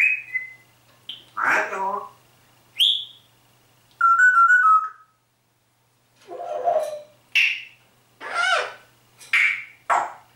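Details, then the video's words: A pet Grey Parrot talks and sings, with "Atemlos durch die Nacht", "Grüß Gott" and "Servus" in its repertoire: a bright, steady whistled note, then strings of clipped, speech-like syllables and short rising whistles in bursts of about a second. "GrauPapagei Rudi spricht und singt"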